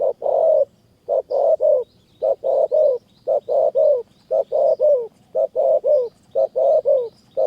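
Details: Spotted doves, a caged decoy and a wild bird, in high mountain forest near Kanchanaburi, Thailand, during decoy trapping: low, mellow cooing phrases in steady bursts of two or three notes, about one per second, with faint high chirps above.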